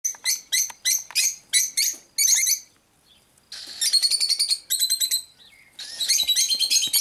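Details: Cockatiels calling: a series of loud harsh screechy notes repeated in quick bursts, with a short quiet gap midway before the rasping chatter resumes more continuously.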